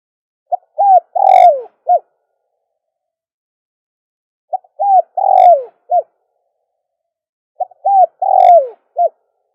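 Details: Three repeated phrases of dove cooing used as a lure, about three seconds apart. Each is a quick note, an arched coo, a long falling coo and a crisp closing note, with quiet gaps between.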